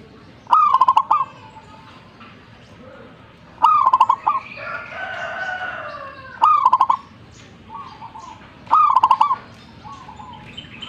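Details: Zebra dove in full song, repeating its rolling, bubbling coo four times roughly every three seconds, each phrase rising then stuttering fast, over background noise with softer calls and chatter from other birds between phrases.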